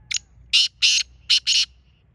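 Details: Black francolin (kala teetar): a short opening click followed by four harsh, buzzy, broadband notes in a tight grating phrase lasting about a second and a half, over quiet low rumble.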